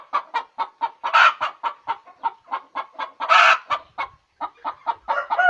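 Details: Hen cackling after laying an egg: rapid series of short clucks, with a loud drawn-out squawk roughly every two seconds, about a dozen clucks in the series.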